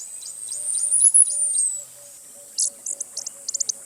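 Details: Costa's hummingbird gives one long, piercing, rising-and-falling whistle over quick descending pips, then a scatter of sharp, very high chip notes.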